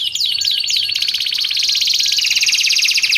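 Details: Canary song used for training and luring canaries: a continuous high trill with rapid repeated notes, opening with three descending swooping whistles, then a dense buzzing roll that steps down in pitch.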